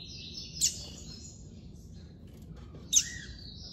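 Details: A black Capped seedeater (coleiro preto) gives two sharp, high, clear notes about two seconds apart, each trailing into a thin whistle, over a low background rumble.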